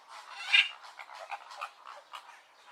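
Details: Flamingos calling: a jumble of short, nasal honks overlapping one another, one louder squawk early on, then a steady uneven chatter of rough notes without pause.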